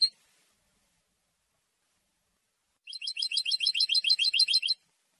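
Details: A European goldfinch singing to proclaim its territory and attract a mate. A brief high note opens, then after a silence comes a fast, buzzy, even twittering trill of nearly two seconds.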